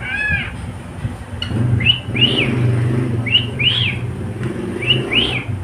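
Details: Male cockatiel kept as a pet whistles paired arched notes, a short one followed by a longer swooping one, repeated roughly every one and a half seconds over low traffic-like rumble.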